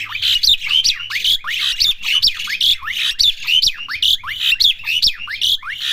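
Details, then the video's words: Young Asian pied starling learning its song, repeating harsh buzzy notes mixed with squeaky falling whistles in a steady rhythm of roughly two to three phrases per second. "jalak suren belajar bunyi"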